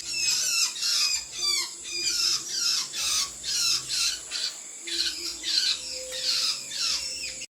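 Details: Sooty-headed bulbul giving a busy run of harsh, squawky notes, many sliding downward, delivered in quick clusters about twice a second with brief pauses, over a faint low hum.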